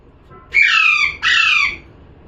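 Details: Two grating parrot squawks, each about half a second, with a brief pause between, sounding rough and nasal against quiet indoor background.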